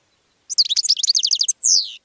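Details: Goldfinch song for attracting other birds: a quick chain of about fifteen sharp, high, liquid twitters followed by a longer downward-sliding nasal note, in a quiet setting.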